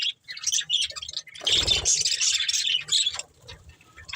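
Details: A breeding pair of budgerigars chirping, with dense bright chattering and warbled notes forming a busy stretch in the middle, plus a low background hum.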